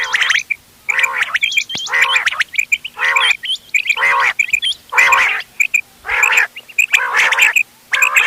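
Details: Mixed calling of ghonge wal, doghla and changa quails for hunting, 31 October 2025: loud harsh buzzy bursts about every second, short high hooked chirps between them.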